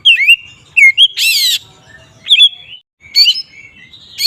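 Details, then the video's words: Oriental magpie-robin (kacer) singing ngeplong style to provoke other magpie-robins; varied high whistles, upward slurs and a loud harsh buzzy burst, then more clear whistled notes after a short pause. "Suara burung Kacer ngeplong ini paling ampuh untuk pancingan Kacer agar emosi"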